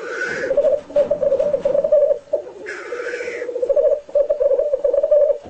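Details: Displaying black grouse in home footage: continuous low bubbling coos, broken by two sharp, hissing sneeze-like bursts near the start and again around the middle.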